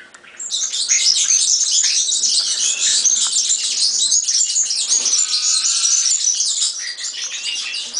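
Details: After a brief quiet start, a European serin launches into a fast, high-pitched jingling song of crowded squeaky notes and buzzy trills that runs almost to the end.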